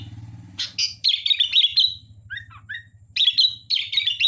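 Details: Energetic sooty-headed bulbul song: bursts of quick, bright warbled notes, a couple of lower slurred whistles in the middle, then another lively burst. A faint low hum sits beneath.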